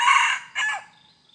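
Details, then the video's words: Red junglefowl, recorded during decoy hunting on 2 November 2021: the end of a hoarse, harmonic crow, one loud burst and then a shorter falling note, fading into quiet with a faint high hum. "ต่อไก่ป่า Dib qaib tuaj zoo tiag2"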